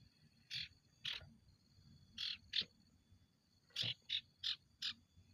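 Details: Ashy tailorbird singing vigorously, a run of about eight loud, clipped, buzzy notes, spaced at first, then in a quicker burst of five near the end, with a steady high whine behind.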